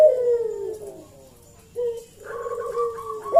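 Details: Lure call of a Eurasian collared dove, used to draw an answer from other doves. A long descending coo fades out, then after a pause come steadier, level coos ending in a short rising note.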